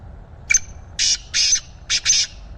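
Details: Caged black francolin kept as a fast-calling bird gives one grating, rasping call phrase of five harsh buzzy notes in quick succession, the first short and the rest longer.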